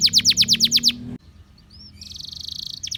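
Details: Singing canary used to prompt other canaries: a quick run of sharply falling whistled notes, a brief pause, then a fast, even, buzzy trill.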